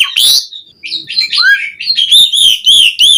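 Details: Asian pied starling in energetic 'gacor' song packed with varied phrases, recorded as training material to prompt caged starlings to sing: a harsh burst, then sliding whistles, turning into rapid repeated chirpy notes with bright, high overtones.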